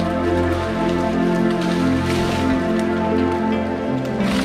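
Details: Steady layered music with sustained low drones and pulsing tones, plus light patter like raindrops on a surface throughout; no animal voices can be picked out.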